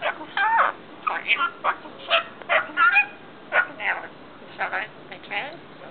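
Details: Caged pet rainbow lorikeet scolding its owner and mimicking swear words; a string of short, raspy, talking-like phrases with squeaky rising and falling notes, about two per second, after the owner says not to swear.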